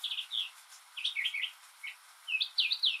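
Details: Rainy-day song of a lone male northern mockingbird imitating other birds and sounds: bursts of bright, slurred chirps in short groups, pauses between, with a rapid doubled phrase at the close.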